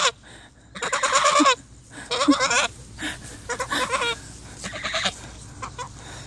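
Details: Pair of Sebastopol geese acting as bodyguards against the owner's dogs, calling in rough, buzzy honking bursts of uneven length, loudest at the start and fading toward the end.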